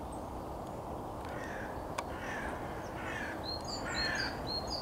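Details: On 14 March 2022, a common merganser (goosander) gives harsh, rasping croaks in short bursts over steady rushing water, with thin high whistles from other birds.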